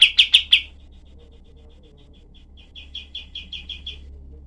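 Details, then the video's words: Cream-vented bulbul (kapas tembak) in rough-voiced tutor song: four loud harsh chirps, a faint trailing stutter of soft notes, then a quieter run of about seven quick, clipped notes. "masteran kapas tembak untuk semua burung FAIGTER"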